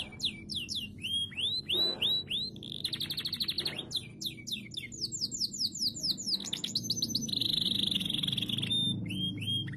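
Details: Canary singing to prompt other canaries into song, a fast run of high downward-slurred whistles, buzzy trills and rolling rattles, with a steady low hum beneath and louder continuous noise toward the end.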